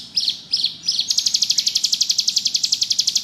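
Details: Bar-winged prinia (ciblek gunung) singing ngebrem: three separate downslurred high chirps, then a rapid, regular trill of bright buzzy pulses running to the end.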